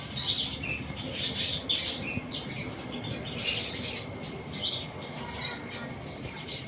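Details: Sunbird song as a steady run of high, sharp twittering notes, a little over one a second and unevenly spaced, over a constant faint high hum.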